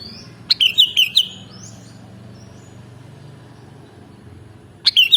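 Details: A sooty-headed bulbul sings a tight burst of four or five sharp, downslurred whistles, pauses about four seconds in near silence, then starts another whistled phrase as the recording ends.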